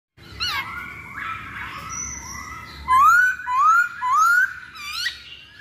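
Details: Masked laughingthrush song used as a lure to make birds sing: soft harmonic notes, then three loud whistled upslurs in quick succession, each rising smoothly, followed by a higher sharp note.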